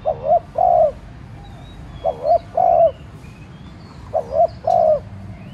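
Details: Decoy spotted dove cooing to provoke other doves: three evenly spaced phrases about every two seconds, each a short double coo followed by a longer full coo, light bird chirps in the background.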